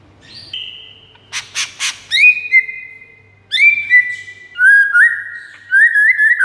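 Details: White-rumped shama master song used to lure rival shamas: long pure whistles held steady then stepping down, a burst of three harsh broadband notes, then rising slurred whistled phrases.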